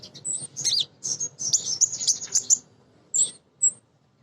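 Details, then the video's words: A female Crimson sunbird calling for males: a thin, high, buzzy trill held for about two seconds. Two short, sharp high notes follow after a pause. "Konin Betina Gacor‼️ Nyrecet Nembak Cocok Untuk Pancingan Burung Bahan"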